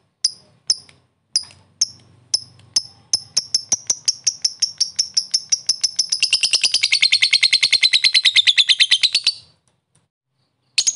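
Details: Fighter lovebird in the 'ngetik' (typing) chattering style, used as a lure to make other lovebirds sing. Sharp high chips about twice a second speed up into a dense, continuous buzzy trill, stop abruptly, then chips resume.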